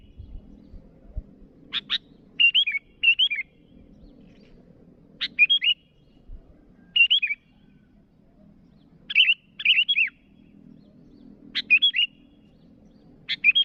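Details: Sooty-headed bulbul calling out to rivals, a short sharp burst then a few quick whistled, warbling phrases, repeated about every two seconds over faint low background hum.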